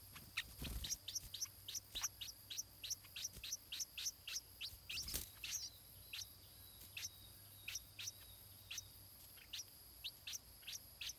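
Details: Stripe-throated bulbul nestling while the parents feed it. Dense runs of quick, high, descending chirps repeat several times a second. There are two short knocks or rustles, and the pace slows toward the end.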